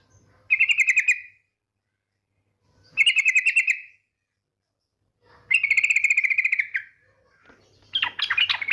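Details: Trilling lure call of a female yellow-vented bulbul, used to draw other bulbuls into song: three fast, stuttering trills about every two and a half seconds, then a harsher, scratchier burst.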